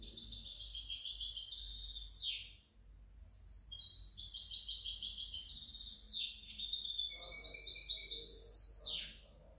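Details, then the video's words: Goldfinch hybrid, 2019–2020, sings three bursts of fast, high twittering with trills and buzzy notes, each phrase ending in a descending sweep, separated by brief pauses. "otro mi mixto de jilguero"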